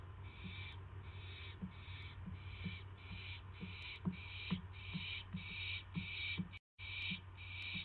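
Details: Owl at night on May 9, 2016, at 9:38 PM, getting a mouse on a live camera. Steady, breathy hissing bursts repeat about every half second over a low constant hum, with faint ticks between them.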